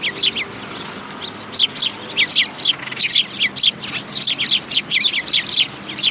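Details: Winter feeding scene, 10 February 2022, Tenmangu shrine: Eurasian tree sparrows keep up steady, evenly spaced scratchy chirps, roughly three or four per second, after an opening pair and a short gap.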